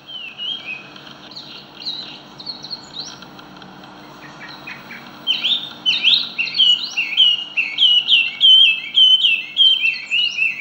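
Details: Chinese hwamei singing in the wild, in full rolling song: soft, scattered whistled notes for the first five seconds, then loud, rapid runs of slurred, rising-and-falling whistles, repeated almost without pause to the end.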